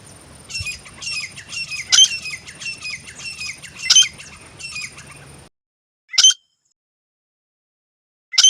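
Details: Grey francolin, a male and female pair, calling: a rapid series of high, squeaky, scratchy notes for about five seconds over a steady low hum, then silence broken by two single sharp notes.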